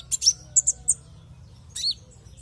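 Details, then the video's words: Javan white-eye song played as a lure to prompt other white-eyes into song: a few sharp, very high chirps in quick succession, then a short rising-and-falling whistled note after a pause, over faint background hum. "Pancingan konin agar LANGSUNG NGOBRA dan GACOR"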